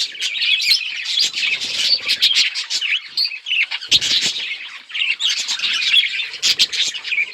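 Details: A flock of colourful budgerigars recorded October 26, 2023 keeps up constant high chirping and warbling, with clicking notes and a few louder bursts rising out of the overlapping chatter.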